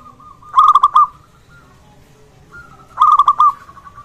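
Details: Local zebra dove, known as perkutut, in strong voice, its call used to trigger calling and arousal in other zebra doves: two phrases of rapid, purring coo notes, five or six each, about two and a half seconds apart.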